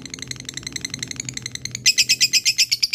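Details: Fighter lovebird in ngekek, calling a rival; steady moderate chatter that jumps into louder, sharper, evenly spaced harsh notes for the final second.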